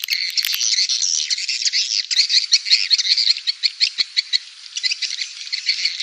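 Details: Compact swiftlet sound for Indonesian swiftlet farmers: a steady, dense stream of high chirping twitters, pulsing about three times per second without a break.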